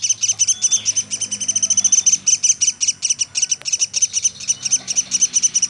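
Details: Pelatuk sampit woodpecker giving a steady series of bright, high chip clusters, with faint thin whistles behind it and one sharp click midway.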